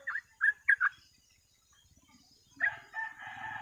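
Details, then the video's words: Sooty-headed bulbul singing actively in the rapid ropel style, used as a lure and training recording for other birds. It gives a quick series of four bright, bubbly whistled notes, then a short pause before a further burst of fuller, rolling notes. "TRUCUK GACOR ROPEL MASTERAN PANCINGAN BURUNG TRUCUK"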